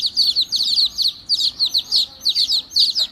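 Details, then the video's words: Baby chicks, described as angry, chirping in a busy chorus of high, sharp peeps that sweep downward, coming in bursts of several notes with brief pauses between groups. "Angry Baby Chicks Chirping Sounds"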